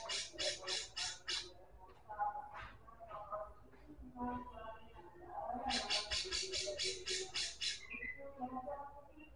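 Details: One-legged kept White-rumped shama set out in the sun to make it sing more, giving bursts of rapid, harsh, repeated notes in fast trains, mixed with lower warbled phrases and some background noise.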